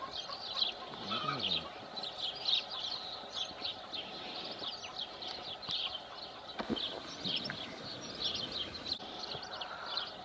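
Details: Rosy starlings at Congosto in June 2021, apparently at a nesting site where one may want to lay but finds its spot occupied, chatter nonstop in a dense, overlapping mix of harsh squeaks, rattles and creaky notes, with a man's voice briefly in the background.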